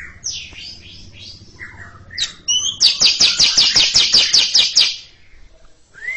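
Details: Greater green leafbird giving a long chattering 'ngekek' song: a few high whistled notes, then a fast, dry run of about a dozen bright notes, roughly five per second, lasting two seconds.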